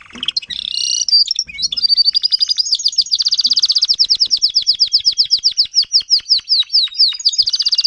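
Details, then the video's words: Timbrado canary, adult tutor singer teaching young canaries: a long, fast, even trill of rolling high notes, roughly four per second, sustained for several seconds with slight pitch shifts. "TIMBRADO KANARIEN (gesang)"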